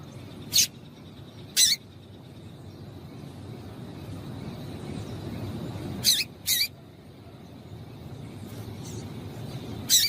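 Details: Female double-collared seedeater calling to stir males into singing: short, sharp, high chips at irregular intervals, one or two together, over a low steady background hum.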